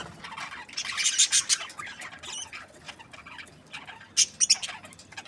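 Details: Budgies give clusters of sharp, high-pitched squawks and chirps, one busy burst early and another near the end, with softer scratchy notes in between.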